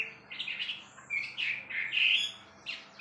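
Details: Wambi bird song: squeaky, chirping bursts with sharp rising whistles, delivered in uneven spurts separated by brief pauses, fairly quiet against a soft background hiss.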